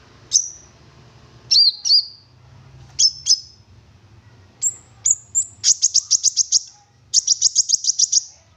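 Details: Olive-backed sunbird song used as bait to get other sunbirds singing. Isolated piercing chips lead to two rapid, evenly spaced high trills of about eight notes each, over a faint low hum.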